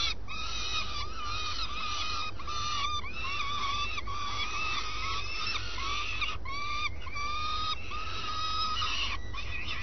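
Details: Swifts at the nest early in the morning, where the adults take turns. A long series of nasal, wheezy arched calls comes in irregular bursts over a low constant rumble.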